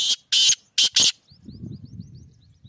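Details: Black francolin, called kala teetar or Sindhi teetar, the Sindh-region subspecies of South Asia, calling: four loud harsh grating bursts in quick succession, followed by a faint string of thin high chirps over low rustling.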